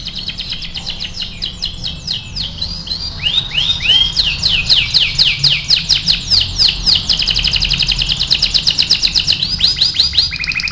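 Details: AF canary performing lively 'gacor' song for tutoring: long sequence of rapid swept chirps and rolling trills, speeding up into a steady pulsing run of roughly four notes per second, ending on a lower buzzy note.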